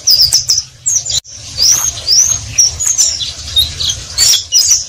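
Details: Oriental white-eye (pleci) in its ngeriwik chatter: high twittering phrases of quick whistled slurs and ticks, a sudden short gap near the second mark, then more rapid bright notes over a faint hum.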